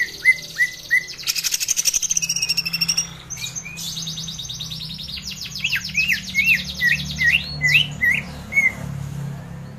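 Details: Greater green leafbird lure song meant to set other birds singing: short whistled notes, a fast buzzy trill, then a series of quick rattling phrases and looping whistles over a steady low hum.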